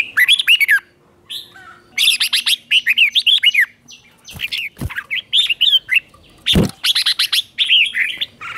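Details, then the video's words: Red-whiskered bulbul morning song, used to train and provoke other bulbuls into singing: bursts of bright, warbling whistled phrases with sharp rising and falling notes, separated by short pauses and a few clicks. "luyện giọng chào mào hót sáng kích bổi hót đấu căng lửa"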